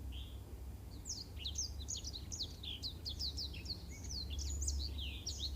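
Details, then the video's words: A Black-throated canary sings a fast, unbroken twittering song of high, sliding chirps and trills, used as tutor song for canaries, over a steady low background hum. "Suara Masteran Burung Blackthroat Untuk Kenari"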